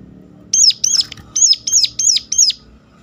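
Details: Sunda warbler calling sharply to draw other birds of its kind into song: six high, piercing arched notes in two quick clusters separated by a short pause, each note bending down at its end, with a low hum in the background.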